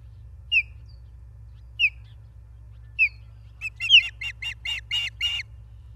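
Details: Ospreys at a Charlo, Montana nest on 28 August 2023 at 16:08, live camera: three single sharp downslurred chirps about a second apart, then a rapid burst of about nine clipped whistled notes, over a faint low hum.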